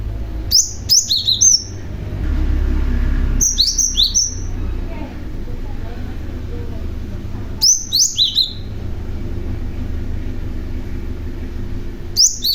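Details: Male cinereous tit used as a lure to draw other tits into answering. Quick bursts of high, sharply slurred chirps, falling in pitch, arrive in three-to-five-note groups every few seconds. A steady low rumble runs underneath.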